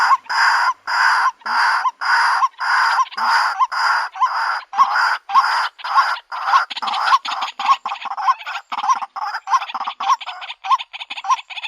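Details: Female white-breasted waterhen seeking a mate: a long run of rough, croaking calls, at first evenly spaced, then quickening into shorter, choppier notes near the end.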